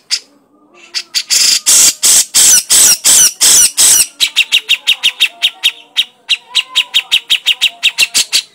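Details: Cucak jenggot (grey-cheeked bulbul) crecetan chattering: a series of long coarse rasping squawks gives way to a fast, steady rattle of sharp ticking chips, several every second.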